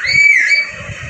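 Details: Rose-ringed parakeet in happy mode, talking and dancing, Vehari, Punjab, Pakistan, recorded on a mobile phone; a single loud, drawn-out whistled note holding steady with bright overtones, then fading into low room rumble.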